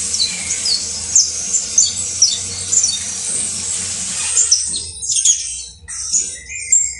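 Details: Singing saffron finch, known locally as canario basto criollo: a run of sharp, high chirped notes repeated several times a second, then scattered squeaky notes and a short whistled phrase, over a low background hum.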